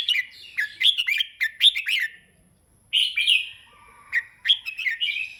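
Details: Red-whiskered bulbul singing on and off, bright whistled and warbled phrases sliding between mid and high pitch, delivered in short bursts with a pause of nearly a second midway; no other clear sounds.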